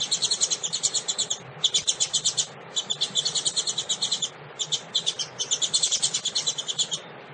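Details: A female double-collared seedeater (coleiro) calls to warm up and stimulate another bird, in rapid runs of thin, high chips, several each second, broken by short pauses.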